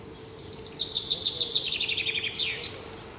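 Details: Bright morning song from a small bird: quick repeated high notes descending in an even cascade over about two seconds, ending in a short rising flourish and one final note.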